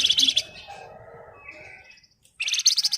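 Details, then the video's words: Javan tesia giving quick bursts of piercing, rapidly repeated high notes, a softer descending warble after the first burst, a brief silence, then another loud chattering burst. "Burung Flamboyan Gacor Ngebren Rapat/ Wergan Jawa"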